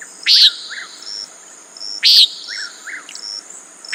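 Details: Two harsh, nasal peent notes from a common nighthawk, spaced nearly two seconds apart, with a continuous shrill insect chorus and faint lower chirps in the background.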